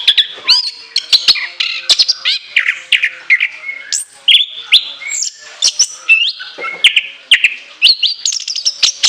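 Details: Varied, shrill orange-headed thrush song with long fill: twisting whistled slurs, jumpy high notes and quick chip runs flowing almost without a break.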